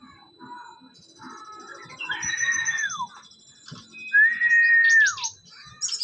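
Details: Caged brown-chested jungle flycatcher under a mental test giving long, clear whistles that hold steady then drop away, between softer scratchy notes and a faint high chatter.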